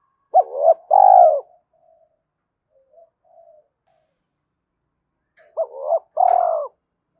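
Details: A spotted dove coos to quickly get another dove calling. There are two full phrases, each with two short hooked notes and a long falling coo, separated by several seconds of near silence with a few faint murmurs.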